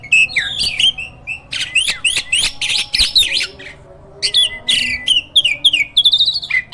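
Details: Hybrid myna in a cage, used as a master songbird to train other birds: a dense, varied stream of sharp whistles, harsh squawky notes and rapid chirps in quick bursts, with a brief pause midway.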